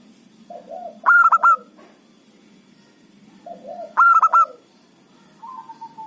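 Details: Lure zebra dove of a local strain for catching rival birds: two phrases about three seconds apart, each a low coo then four loud staccato ringing notes, ending with a faint level coo.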